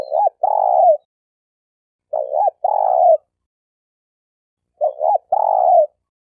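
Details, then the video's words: Spotted dove kept as a trapping decoy in Malaysia, champion-class: three phrases about two and a half seconds apart, each a quick hooked double note followed by a longer, drawn-out falling coo, no other sounds. "Suara Burung Tekukur Denak Padu Juara All Star"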